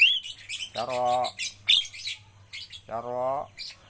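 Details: A Javan myna being trained to become vocal gives harsh squawks and high, scratchy chirps, broken by a deep human voice twice repeating a single word as a training cue.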